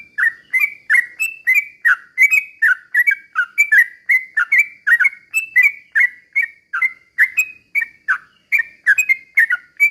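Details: Sooty-headed bulbul singing rapidly and slowly as a lure to provoke other bulbuls: a steady stream of short bubbly notes, each a quick dip then a clear whistled tail, about two to three per second, with no other sounds.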